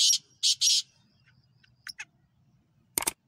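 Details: Black francolin chicks give high, thin peeping calls in short bursts: three near the start, two fainter cheeps, then a final harsher burst.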